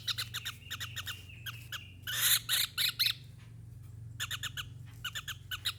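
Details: Javan kingfisher uttering short runs of rasping notes, with one louder, coarser cluster in the middle and quieter, spaced rattles toward the end, over a faint low hum.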